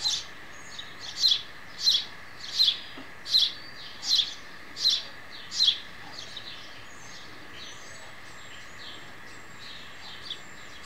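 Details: Sparrows at feeding time, a mother feeding her baby: a run of eight sharp high chirps about every 0.7 seconds, then fainter scattered twitters and soft background hiss.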